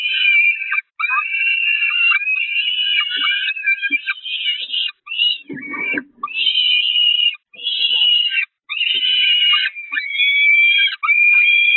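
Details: Hungry Peregrine falcon nestlings at the Catharinakerk nest in May 2021 mobbing their mother for food as she retreats; continuous high shrill wailing screams from several chicks, broken by short pauses, with a low scuffling thump midway.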